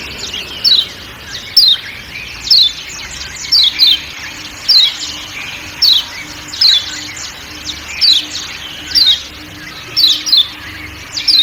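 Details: Lombok kecial kuning (white-eye) 'ciak ciak' call with forest ambience: quick downward-sweeping high chirps, often doubled, repeating about once a second across the clip above faint constant hum.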